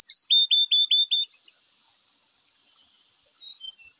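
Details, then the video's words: Grey-chested jungle flycatcher lure song opening with five loud evenly spaced downslurred whistles, then near silence and a few soft high slurred notes. "sikatan rimba gacor bikin emosi , srdc full isian"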